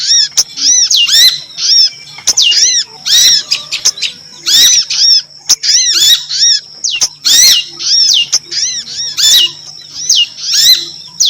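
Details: Female yellow-bellied prinia (prenjak lumut) calling, the sound used to lure birds: fast, scratchy chirp bursts with ringing overtones, tumbling one after another with only brief gaps. A steady low hum runs underneath.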